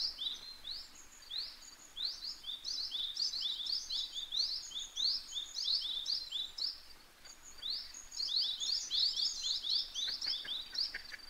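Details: Spot-billed duck parent and ducklings on 21 May 2023: an almost continuous stream of shrill rising peeps, several birds overlapping, roughly four calls each second, with a brief lull midway.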